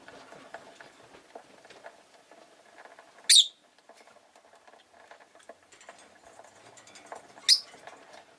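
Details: Two short, shrill chirps from a Rosy-faced lovebird about four seconds apart, over a steady background of soft pattering and rustling.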